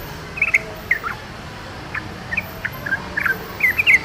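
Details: Irregular bubbly notes from a wild yellow-vented bulbul, spaced out and then quickening into a closer cluster at the end.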